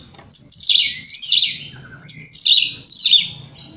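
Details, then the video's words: Oriental magpie-robin (kacer) provocation song for triggering other magpie-robins: two loud, rich phrases of high descending whistles blended with scratchy warbling, each lasting about a second, with a brief low note between. "30 Menit Dengarkan Pancingan Kacer Ini - Kacer Jenis Apapun Gak Kuat Nahan Emosinya"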